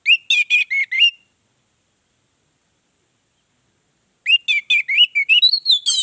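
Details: Orange-headed thrush song meant to lure other birds into singing: a short series of slurred whistles, a pause of about three seconds, then a longer, more varied run of rising and falling whistled notes.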